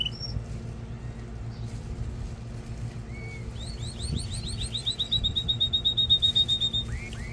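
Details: Canary song for stimulating mating and training young birds: after quiet with scattered short notes, a quick run of rising slurred notes leads into a loud, fast, regular pulsed trill.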